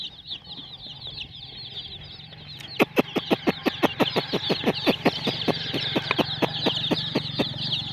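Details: Colourful hen chicks chirping: a dense stream of thin, high, rapid peeps throughout, joined after the third second by a run of sharp, regular clicking taps about three per second.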